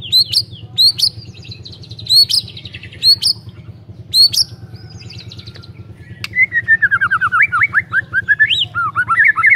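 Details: White-rumped shama singing as a lure to prompt quiet shamas: several short ringing whistles with sharp attacks, then a fast, varied run of warbled, rising and falling notes, with a constant low hum underneath.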